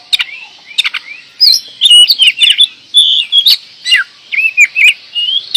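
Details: Oriental magpie-robin (kacer) from Indonesia delivering 'gacor door' song: a rapid run of varied whistled notes, about two per second. Sweeping slurs and dips are mixed with crisp clicks.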